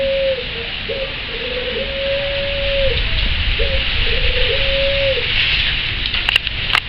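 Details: Puter pelung dove from a breeding farm, a coloured competition strain, cooing in short hooting notes and longer drawn-out low tones, in two phrases separated by a pause, over a steady hiss and a few knocks.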